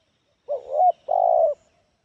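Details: Spotted dove with the distinctive 'kepala sula' head type, singing a medium-loud 'Kuk 1' style song with many fill notes: a short rising coo swelling into a sustained note, a brief pause, then one long, steady, faintly tremulous low coo.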